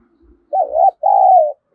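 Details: Cooing spotted dove luring wild doves, a single phrase of a short undulating coo and a longer, gently falling coo, with faint low thumps in the background.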